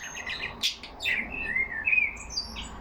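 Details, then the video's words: Pet budgerigars in a cage chattering to each other: a couple of sharp clicks followed by thin, whistled chirps sliding up and down. "Lovely parrots talking among them."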